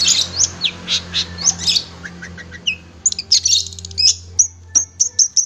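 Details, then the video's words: Long-tailed shrike singing in captivity, kept for song training: scratchy chattering phrases followed by a run of short, clipped high whistles repeated about every half second. "masteran burung cendet"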